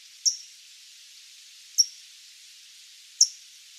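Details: A California Towhee, a backyard bird of Sonoma County often found on or near the ground, gives three sharp, high metallic chinks about every 1.5 seconds, like a smoke alarm's low-battery chirp, against a faint hiss.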